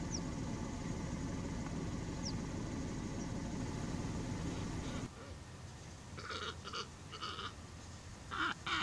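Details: Glossy ibis at Alykes Kitros, Pieria, Greece, in April 2021, "singing" with harsh, hoarse grunting croaks in short bursts of several notes, after a stretch of low wind rumble.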